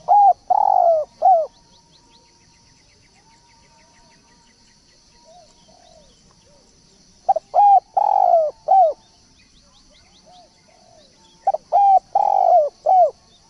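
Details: Spotted dove lure call: three phrases of low mellow coos roughly every four to five seconds, each with a hooked opening note, a long burry coo and a short drooping end note; faint soft notes between.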